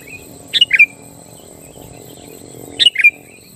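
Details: Sooty-headed bulbul singing to draw rival bulbuls into song: two matching short phrases, each a quick cluster of three liquid descending notes, spaced about two seconds apart over a steady hum and high hiss.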